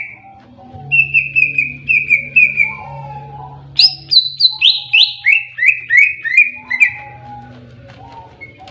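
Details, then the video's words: Greater green leafbird in tarung (fighting) song: a run of short falling whistles, about three per second, then a higher cascade that steps down in pitch, over a steady low hum. "KICAUAN BURUNG CUCAK IJO TARUNG"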